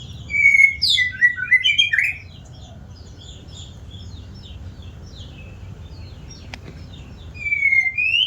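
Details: White-rumped shama giving a burst of high, twisting whistled notes for two seconds, then near silence with only faint background hiss, before another short bright whistled phrase at the end.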